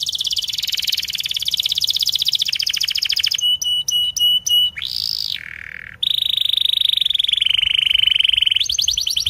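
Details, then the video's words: A prolific canary sings tutor song for young or stalled canaries: a long fast buzzy roll, a sequence of sharp clicking notes, a short slide, a low whistle, then another extended trill and a higher rapid trill. "MASTERAN KENARI 30 MENIT DURASI PANJANG"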